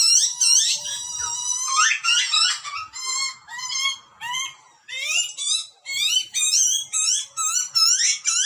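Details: Begging cries of butcherbird chicks fed by adults in the Australian wild: dense, loud, rising and wavering screams at first, then a steady series of short upslurred squeals about twice a second.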